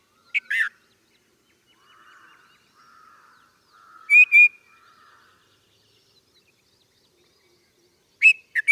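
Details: Red-vented bulbul calling: three short, sharp, bright notes, one near the start, one mid-way and one at the end, with faint low warbled phrases in between against an otherwise quiet background.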